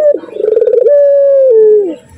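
A dove gives a low, mellow coo: a quick rolling burst of pulses, then a long steady hooted note that slides downward at the end.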